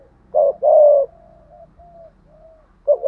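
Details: Spotted dove cooing: two loud coos, a short note then a long one, followed by faint softer notes and a brief restart at the end.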